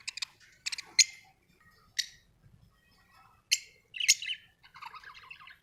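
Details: Budgerigar producing a quick series of sharp, bright chirps spaced about a second apart, ending in a rapid scratchy warble.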